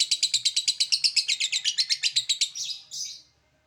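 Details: A lovebird chatters in 'ngekek' style: rapid, rasping high notes in a steady run that slows and blurs into two drawn-out squeaky notes before falling silent.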